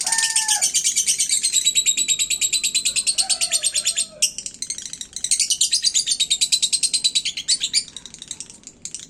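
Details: Caged lovebird in full song, a continuous high, rapid chattering trill of buzzy repeated notes lasting the whole stretch, with a short break midway and faint lower whistles behind.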